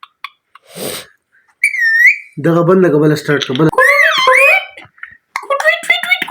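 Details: Parrot talking: short word-like utterances, whistled upslurs and a harsh rasping phrase with strong harmonics, in a mix of chatter and whistles against background music.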